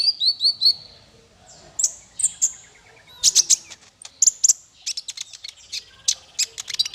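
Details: Training song for small fighter birds: four quick, repeated high whistled notes, then scattered bright chirps, buzzy bursts and a fast twittering finish.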